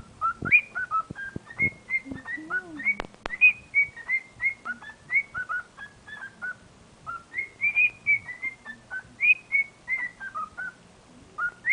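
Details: A male pet cockatiel, singing as he does when happy, whistles a bright, tuneful string of short rising and falling notes.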